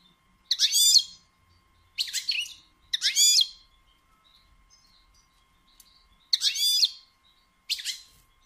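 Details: Female goldfinch batbata, a call that excites males into singing and mating. Five rasping, buzzy bursts of under a second each arrive at irregular gaps of one to two seconds. Faint, high twitters sound between them.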